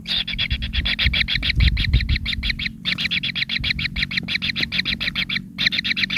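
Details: Hungry kingfisher nestlings at the nest, their pin feathers starting to grow, begging for food: rapid, regular harsh buzzy pulses repeated several times a second in bursts with short pauses, over low rumbling background noise.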